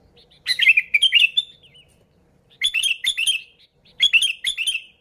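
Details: Lively sooty-headed bulbul song without other birds mixed in, used as a lure for bulbuls: three chattering phrases of rich, warbling notes separated by short pauses.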